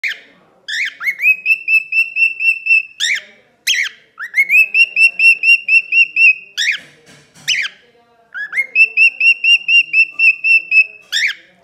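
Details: A male cockatiel in Ponce, Puerto Rico, sings clear whistled phrases, each a fast run of repeated notes between rising slurs.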